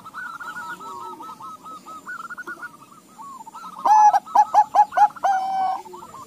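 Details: Zebra doves of Bangkok-local crossbreed calling back and forth: low rolling trilled coos fill the first half, then a nearby bird bursts into five loud, clipped, ringing notes and a longer held coo.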